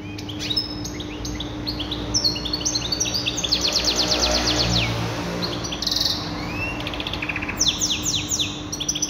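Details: A trained, tutored canary sings a fast, varied goldfinch-style song of bright chirps, rapid trills and rising whistled notes, over a steady low hum.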